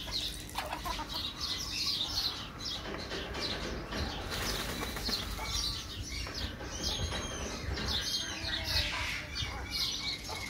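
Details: Rüppell's griffon vultures (Gyps rueppelli) at a bird park in Malta give harsh, hissing rasps and squabbling croaks over heavy wing flapping, with a few thin higher chirps mixed in.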